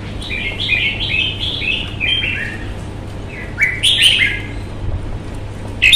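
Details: Red-whiskered bulbul, a Vietnamese hobby bird shown with fighting temperament, sings a run of short chirpy warbled notes that step downward, then pauses before louder sharp, squeaky notes and a final bright note.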